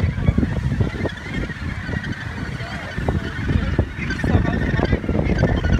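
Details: Australasian gannet breeding colony, Muriwai Beach, New Zealand; a crowded chorus of short, gravelly calls repeats irregularly, blended with gusty wind.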